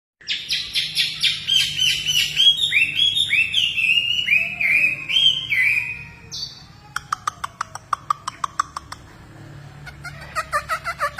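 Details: Hwamei in full song, loud varied phrases of rising and falling whistles and slurred notes, then a pause and a run of sharp clicking pulses before whistling resumes, with a low background hum.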